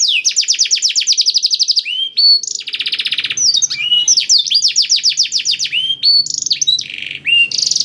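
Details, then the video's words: Canary with blackthroat song filling, meant to coax canaries into singing quickly: quick runs of falling whistled notes, a dense buzzy trill, then looping upslurred notes and more rapid sweeps, loud and uninterrupted. "KENARI ISIAN BLACKTHROAT #175 || VOICE OF CANARY"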